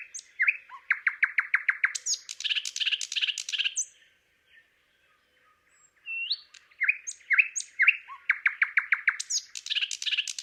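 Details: Song of a thrush nightingale at Palupõhja, Estonia, delivered in two bursts of fast, rattling repeated notes and sharp whistles, separated by a quiet pause of about two seconds.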